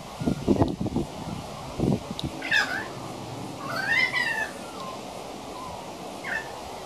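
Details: Young pied currawong practising its song: a few separate drawn-out tonal notes with harmonics, one swooping up then down, spaced a second or two apart, between soft rustling and low thumps.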